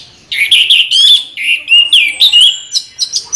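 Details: Orange-headed thrush giving a short rolling song phrase of slurred, warbling whistles, rising and falling, ending in a few thin high notes.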